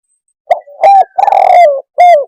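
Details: Spotted dove (tekukur) cooing, a recording meant to lure birds. Clean, loud mid-pitched coos: a short note, a longer one, then a long note that slides downward, and a final falling coo.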